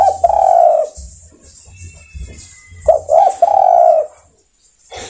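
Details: Spotted dove calling to others of its kind: two coo phrases about three seconds apart. Each is a couple of short hooked notes ending in a long, steady coo. A faint thin whistle appears between them.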